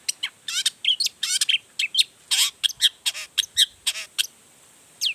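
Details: Long-tailed shrike singing emotionally through its full repertoire to goad other shrikes into replying: a fast jumble of harsh chattering bursts, buzzy downward sweeps and short sharp chips, packed densely over five seconds.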